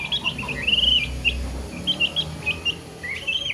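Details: Chirping baby chicks give high, thin whistled peeps, some long and arched, others short and clipped, coming in loose bursts over steady low background noise.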